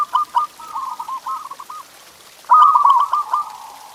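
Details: Zebra dove song for prompting pet doves to sing: a softer, stuttering rolling coo is followed by a louder trilled phrase that fades into a sustained vibrating tail.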